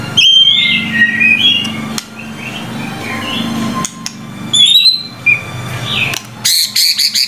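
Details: White-rumped shama phrases in a training recording: scattered high whistles and chirps over a low hum, ending in sharp rattling clicks.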